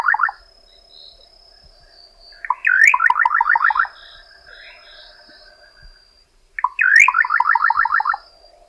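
Little nightjar singing twice: a sharp rising note, then a quick run of about seven clipped, slightly descending notes, over steady insect hum.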